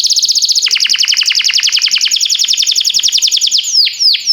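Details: Canary singing for training other canaries: a rapid high trill changes into quick descending chirps, ending with a few separate downslurred whistles.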